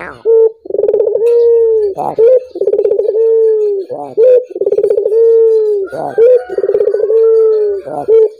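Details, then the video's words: Barbary dove cooing to get other doves singing. A loud, repeated phrase: a brief opening note, a throbbing rolled coo, then a long level tone, cycling roughly every two seconds. "Suara burung puter ini membuat puter anda ikut gacor"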